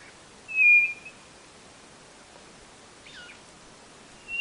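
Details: A quail from northeastern Brazil gives a sustained flat whistle, then a short curled chirp from another bird follows, and a second whistle begins at the end.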